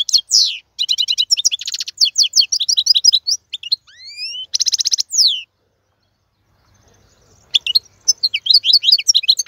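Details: A male European goldfinch sings a tutor song for teaching young birds. Quick twittering bursts and dry trills mix with rising, sliding whistles, then a pause of about two seconds before the twittering starts again.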